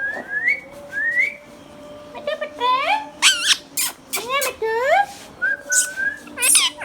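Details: Hand-tame green Indian ringneck parakeet kept as a pet, talking: a run of bright, harmonic-rich, speech-like syllables that sweep up and down in quick bursts, with a few rising whistles at the start and a steady indoor hum behind.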